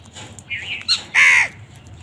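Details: Crows fighting over food: a soft, wavering call, a brief higher note, then one loud, harsh, drawn-out caw lasting about a third of a second.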